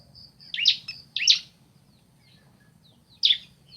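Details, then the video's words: Bar-winged prinia, a male and female answering each other: three sharp, high chattering bursts, two close together near the start and one after a pause of almost two seconds, over a faint low hum. "Suara Asli Ciblek Jantan Betina Bersahutan"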